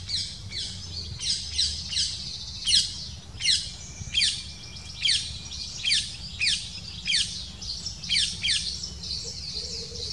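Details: Black kite at its nest as the female arrives with a small prey item and feeds the chicks for several minutes; sharp, high, downward-sweeping calls repeat roughly every second, with a faint low rumble underneath.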